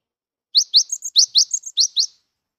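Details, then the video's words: Gelatik batu, the cinereous tit, a wild-tempered bird rarely seen in nature, delivering lure song for mute birds: quick rising high chirps interleaved with short steady whistles, roughly ten notes in one and a half seconds. "GELATIK BATU GIRAS TAPI GACOR COCOK UNTUK PANCINGAN GELATIK BISU DIJAMIN IKUT GACOR"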